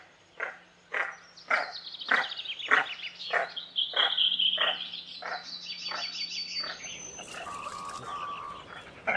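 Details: Goosander, a diving duck, heard as a loud run of harsh rasping calls roughly twice a second, overlaid by a high thin whistle and a low steady hum in the background.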